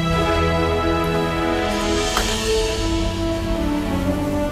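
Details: Only steady background music with sustained tones plays; no animal voice can be picked out.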